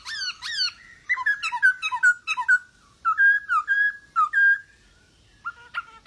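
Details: Lively masked laughingthrush song meant to stir silent birds into singing: two bright falling notes, then a quick chatter of short whistled phrases, some clear sustained whistles, and a pause.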